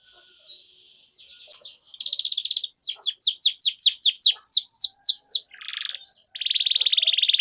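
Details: Canary song meant to coax silent canaries back into singing: buzzy rattling phrases, then a run of clear downslurred whistles, followed by harsh buzzy trills.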